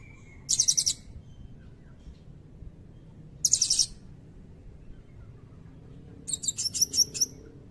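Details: Blue-crowned hanging parrot singing cililin fills for bird tutoring: short buzzy chittering bursts of very high pulses, each under half a second, arriving about every three seconds in a quiet setting.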